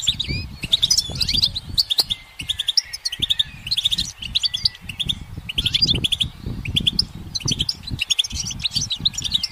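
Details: Goldfinch singing on a branch in the sun, a steady stream of bright clipped chirps and rattling trills repeated in short phrases, with low background rumble.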